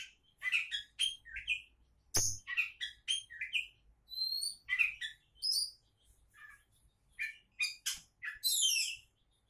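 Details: Oriental magpie-robin in full song: a lively medley of crisp chips, clear high whistles and buzzy trills, each phrase short and varied, ending in a run of stacked down-slurred notes; one brief knock heard.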